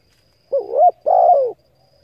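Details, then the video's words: A single spotted dove phrase for training and stimulating decoys: a brief undulating note followed by a sustained downward-sliding coo, deep and soft, with a faint high steady tone. "Tiếng cu gáy hấp dẫn đủ bài thúc gù gáy gọi kích mồi tập bổi nhanh nổi hiệu quả"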